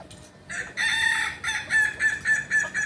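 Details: Kukuak balenggek rooster at a practice crowing contest, Panyakalan, Solok: a held first note, then a string of about five evenly spaced, clipped syllables, each repeated roughly every quarter second.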